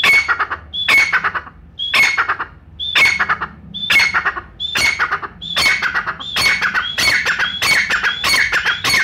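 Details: Brown francolin from Pakistan, recorded for hunters. A steady series of about fourteen phrases, each a sharp high whistled note dropping into a rasping chatter, coming faster and more crowded toward the end.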